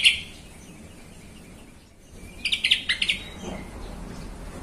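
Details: Yellow-vented bulbul on a provoking lure recording: a loud opening note, a quiet gap, then a lively phrase of quick repeated bubbly notes before fading into hiss.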